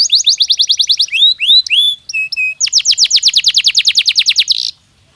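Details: Canary song used to prepare birds for the breeding season: fast trills of repeated downward-sweeping high notes, a short varied middle section with rising whistles and steady tones, then another long rapid trill ending abruptly.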